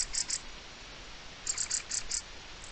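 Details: Mistle thrush giving its alarm on 04-05-23, a loud dry rattle of rapid clicks broken into a short burst and then a longer one of about six pulses.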